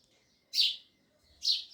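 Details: Two loud, bright sparrow chirps in quick succession, close together and harsh in tone.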